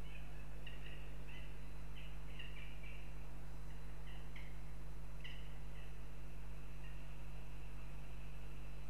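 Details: Northern goshawks recorded in Riga, Latvia: short, harsh, chattering notes given in quick clusters of two or three, repeated through the recording with brief pauses, over a steady low electrical-sounding hum.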